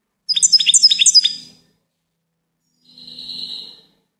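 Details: Goldfinch song: a quick run of sharp, bright twittering notes lasting about a second, then after a pause a softer, nasal, drawn-out buzzy note.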